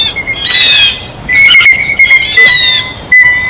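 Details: Blue jays feeding at a feeder: rough nasal squawks in three main bursts, separated by quieter stretches where a thin, steady high tone carries on.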